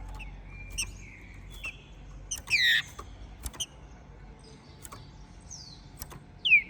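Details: After its moult, a captive-bred, ringed Minas Gerais green-winged saltator of the Trem Bala line sings; faint whistles lead into a loud downward-slurred whistle, scattered clicks, a thin rising note and a closing falling whistle.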